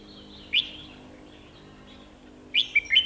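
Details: Red-whiskered bulbul used as a decoy to lure wild birds into a trap, giving two short bursts: a single sharp note, then after a pause a quick run of bright whistled chirps.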